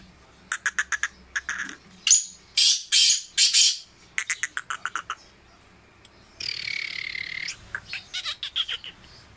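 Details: Tame Sindhi black francolin in full call: repeated bursts of short harsh chirps and loud grating notes, a sustained nasal tone near the middle, then more rapid chirping.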